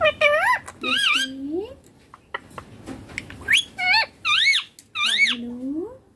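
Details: Green ringneck parakeet, a pet talking bird, mimicking words like papa and mummy; loud tonal whistled and squawky syllables in separate bursts with pauses between.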